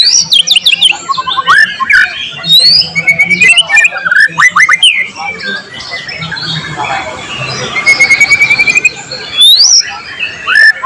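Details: White-rumped shama (murai batu) delivering energetic mimicry-rich song, recorded 12 July 2023 as a tutor recording with cililin, cucak jenggot, canary and lovebird material: dense bursts of looping whistles and harsh notes, a long level buzzy trill, and upward sweeps.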